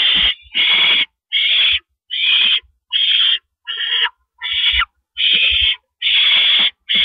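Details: Barn owl pair on a nest porch in April at 8:25 pm as the male delivers food to the female; a long series of about ten harsh hissing screeches, evenly spaced with brief pauses between.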